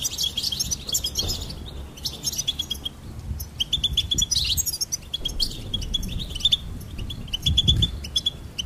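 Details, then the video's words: Goldfinch song in lively bursts: strings of quick repeated chirps mixed with liquid trills. A low background rumble rises in places. "Charming Goldfinch Peep"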